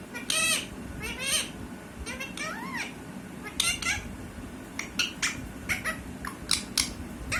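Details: A talking parrot produces loud harmonic squawks and rising or falling whistled glides in short irregular bursts, with a continuous low hum underneath.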